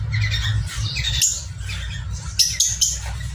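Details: Mating Falk parrotlets, local name for parrotlets, giving rough scratchy squawks followed by several sharp, high clipped chirps in quick succession, with a persistent low background hum.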